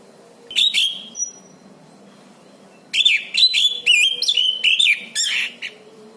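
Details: Orange-banded thrush (anis cendana) singing actively, recorded as master song for training birds: a few whistled notes, a pause, then a fast string of slurred whistles and chatter, roughly two phrases per second.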